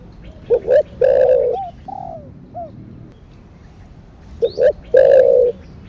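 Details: Spotted dove cooing in the thổ đặc thúc style, also called thổ sấm: two short low hoots and then a long, loud, throaty coo, given twice, with softer arched coo notes between the phrases.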